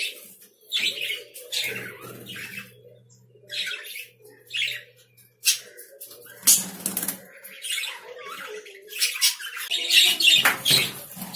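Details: Lovebirds calling in separate sharp, buzzy chirps with short pauses, becoming busier and more overlapping toward the end, over a faint low hum.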